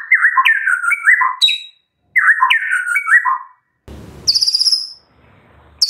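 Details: A white-rumped shama, trained to mimic a cililin and a canary, sings two rich, fluting phrases of varied whistles, then a high, buzzy, rattling trill borrowed from other songbirds.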